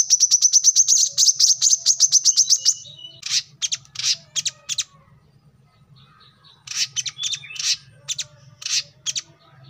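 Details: Kolibri kelapa (brown-throated sunbird), recorded as a tutor track for training cage birds, opens with a fast, high trill of repeated sharp notes. Irregular scratchy chirps and twitters follow, with a quiet gap in the middle.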